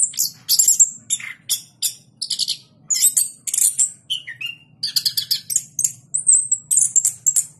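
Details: Caged orange-headed thrush, a past winner of the president's cup contest in Jogja, singing in the full 'gacor ngeplong' style: a rapid run of high, sharp whistled notes and chirps, with a brief lower slurred note and a faint low hum beneath.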